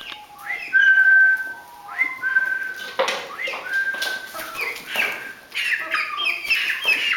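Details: Chicks peeping: thin high sustained whistled peeps, some flat and some rising, repeated irregularly over a noisy background with scattered rustling and clicks.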